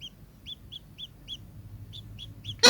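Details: Kingfisher calling in a run of about eight clear, piercing, arched notes spaced roughly a quarter-second apart, followed by a sudden loud crackling burst of noise at the very end.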